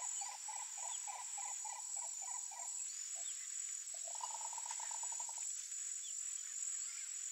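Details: A wild Green Ibis gives a rolling series of mellow, rapidly repeated notes, then a second fast rattle, over a loud, steady high insect drone.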